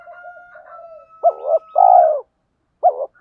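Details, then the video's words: Spotted doves, male and female, used as decoys give a provoking fighting coo. Soft mumbled cooing comes first, then a loud doubled note and a long, hoarse, level coo, ending with another clipped note, over a faint steady tone. "Tiếng chim cu mồi thúc đấu/ chim cu gáy kích bổi nhanh nổi gù đấu lại/ chim cu cườm thúc rút bổi"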